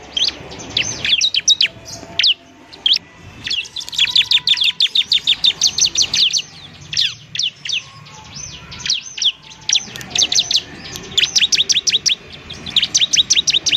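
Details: Ciblek (bar-winged prinia) in semi-gacor form, recorded as a model to speed up other birds' singing. Long fast trains of high, clipped chirps repeat in dense bursts with short gaps between.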